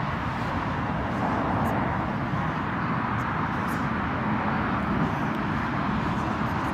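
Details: Steady broadband outdoor rumble like distant traffic or aircraft, with no animal calls heard.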